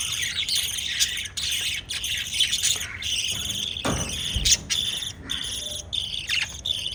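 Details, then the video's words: Constant high chattering from pet lovebirds that are feeding their chicks, with thin rising squeals and brief harsh notes. A low thump comes near the middle. "LOVE BIRDS CHIRPING sounds"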